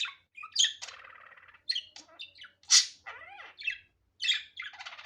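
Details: Budgerigar in an unedited natural recording: sharp squeaks and a loud squawk mixed with buzzy, rattling phrases and falling chirps in an excited, continuous chatter.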